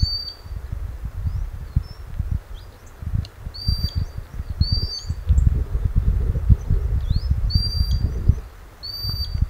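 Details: Breeding Common sandpiper by a river in northern Scotland, calling to its young, recorded with a Sony a6600; irregular series of high, clear piping whistles, some short and upslurred, others longer and level, against continuous low river rush.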